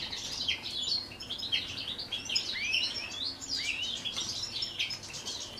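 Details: Captive common chaffinches in the courtship and breeding season, a pair sharing a male, twitter busily with high, bright chirps and quick downward-sliding phrases, several notes overlapping almost without pause, with a faint background hiss.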